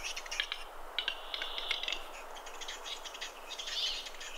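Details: Fighting western capercaillies on a snowy spring lek near Kuusamo, Finland, May 2021: continuous uneven chatter of dry clicks and short rattles, loudest near the start, fading slightly later.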